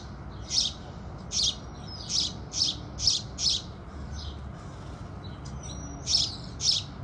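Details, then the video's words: House sparrows singing with the rising sun: a rhythmic string of about eleven sharp, high chirps, a brief pause midway, then more chirps, over a low hum. "Sparrows Sound Effect | Sparrow Sounds | Beautiful Birds Singing | Sparrow Calls"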